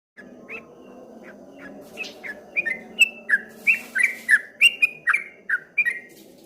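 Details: Streak-eared bulbul singing in the ropel style called ngombak banyu: after a quiet start, a fast run of short whistled notes that bend down and up, about three per second, with a steady low hum beneath.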